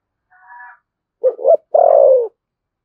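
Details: Spotted dove in Đồng Nai, Vietnam, 'thúc gù' cooing with a 'thổ sấm' voice. A faint steady tonal sound comes first, then one phrase: two brief coos and a drawn-out falling coo.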